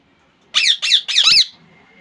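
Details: Pet rose-ringed parakeet from Bangladesh giving three close, loud, rasping screeches with a faint steady hum behind.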